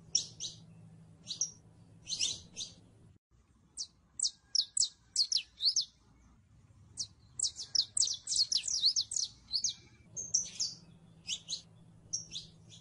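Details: Saffron finch singing a long, uneven series of short, high, sharp chirps, sometimes spaced, sometimes packed into fast bursts and trills, with a few brief gaps; low mechanical hum in the background.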